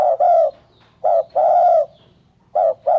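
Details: Spotted dove produces rich, hoarse coos: a long note, then a short and a drawn-out coo pair, and another beginning, with a faint low hum.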